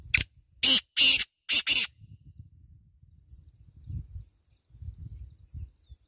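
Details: Black francolin, or kala teetar, calling: a burst of four or five harsh, grating notes over about two seconds, followed by quiet with faint low rustling and thumps.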